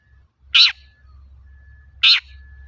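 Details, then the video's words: Long-tailed shrike used as a lure to get untrained shrikes singing: two loud, grating, rasping notes about one and a half seconds apart over a steady low hum. "Suara burung cendet gacor untuk pancingan cendet bahan"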